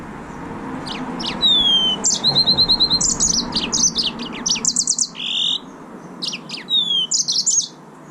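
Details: Yellow-fronted canary, also called green singing finch, singing a lively high song of rapid trills, buzzy sustained notes and sweeping downslurred whistles, phrases bursting out in quick succession over faint background hum.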